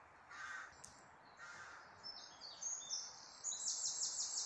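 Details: Bird sounds in the great outdoors: two short hoarse caws early on, then a series of quick, high, thin chirps building toward the end over a steady background hiss.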